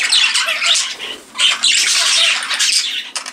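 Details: Many aviary budgerigars flying about their birdroom give constant busy squawks and twittering, with a brief lull before the chatter swells again.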